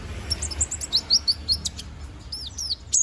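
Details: Balding young konin bird, feathers growing back, singing for song training: quick series of high downslurred whistles and chirps, several in close succession, then upward-flicking notes at the end.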